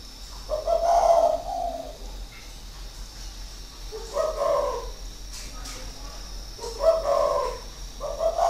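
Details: Spotted dove, a seasoned caged decoy bird of six years from Ba Vi, Hanoi, Vietnam, 2019, cooing in four mellow, throaty phrases spaced roughly two to three seconds apart over a steady hiss.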